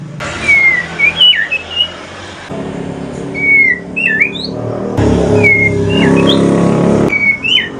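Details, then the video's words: Aceh pastol-type white-rumped shama, a mutated bird, singing in the evening; short clear whistles and upslurred notes in spaced bursts over loud rumbling engine or vehicle noise. "Kicauan sore hari murai mutasi ke pastol si paling cerewet"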